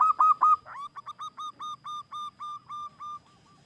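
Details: Singing wild local zebra dove, used for luring other doves: two strong ringing coos, then a measured chain of short, evenly spaced, slightly falling notes about five per second, fading at the end.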